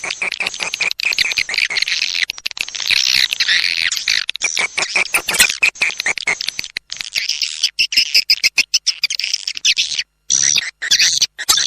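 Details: Edible-nest swiftlet lure call, a sound used to attract swiftlets: dense, rapid high chattering and twittering pulses, nearly continuous with brief breaks, becoming choppier towards the end.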